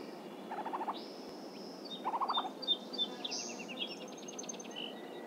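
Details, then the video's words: Northern Flicker (Colaptes auratus) near Cincinnati, Ohio, gives two short bursts of quick, rough, stuttering notes a second apart, over thin high whistles and twitters from other birds. "Northern Flicker"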